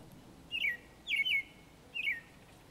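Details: An American robin singing from a treetop in spring gives three short, clear, slurred whistled phrases, each rising and falling, spaced about half a second apart over a quiet background.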